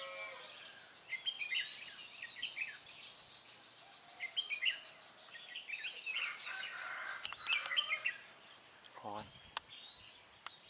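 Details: Decoy red-whiskered bulbul singing to draw wild birds toward a trap, 24 September 2017: brief bubbly whistled phrases repeated every few seconds, with a steady high hiss behind and a few sharp clicks and knocks near the end.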